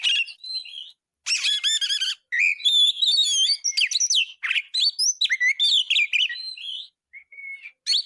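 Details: Caged Oriental magpie-robin singing as a tutor recording: varied bursts of sharp whistles, rapid stuttering trills and squeaky slurred notes, broken by short pauses, very high and bright, with no other sounds.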